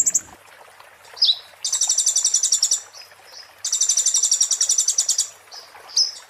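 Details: Oriental white-eye (konin) in 'muntah beling' song, a tutor recording for magpie-robins and shamas: two long, very high sizzling trills of fast even notes, each preceded and followed by single thin whistled slurs.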